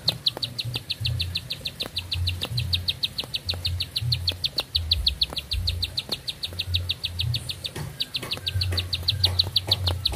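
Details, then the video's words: Rapid, tireless song of a bar-winged prinia: sharp high chips repeated about three times per second in a long even sequence, with a slight break near the end and a low hum behind. "Nafas Panjang, Nembak Satu Lagu, Ciblek Sawah Gacor"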